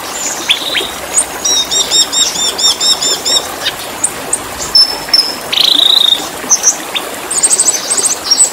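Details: Black-winged starling song, played for training caged birds: varied whistled notes, a run of repeated looping chirps, sharp high squeaks and buzzy bursts in quick succession.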